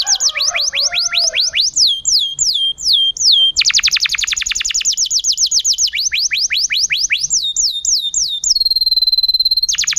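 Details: Canary in full vigorous song, a training recording meant to set silent canaries singing; fast series of falling whistled sweeps, a dense rapid roll, more swept phrases and a steady high ringing tone near the end.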